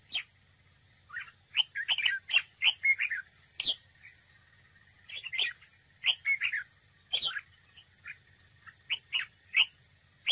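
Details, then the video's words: Red-whiskered bulbul serving as a trap decoy in a singing contest. It pours out rapid, liquid, whistled phrases in clusters, with short gaps between them, over a steady background hiss. "Cận cảnh chào mào mồi đấu bẫy, hót đấu"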